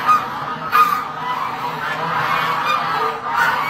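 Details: Honking from white Chinese geese: a sharp call near the start and another before one second, then a continuous murmur of softer nasal honks from the group.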